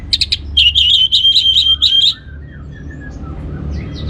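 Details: Orange-headed thrush lure song to get other birds singing: a few high chips then a long rapid rattling trill of bright whistled notes lasting about a second and a half, fading into faint soft notes.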